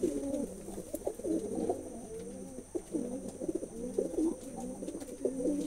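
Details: Pigeons cooing, several overlapping low, rolling coos with arched, wavering tones, repeated steadily with a constant high electrical hum behind them.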